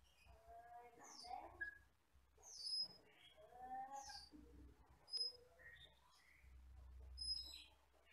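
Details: Wild forest camperling, an Asian glossy starling, jet black with red eyes, singing a varied run of short whistles, slurred chirps and sharp high notes over a steady low hum.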